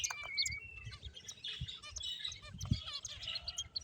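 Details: Finches at play give a steady stream of short, high, thin chirps and twitters. Soft low thumps and rustling run underneath the calls.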